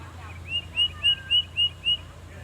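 A Tufted Titmouse sings six clear, high whistled notes in a fast, even series, about four per second, like 'peter peter peter'. A faint low hum runs underneath.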